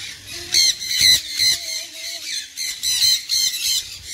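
Sun conure giving loud, harsh, shrill squawks in bursts of about half a second, repeated several times with short gaps.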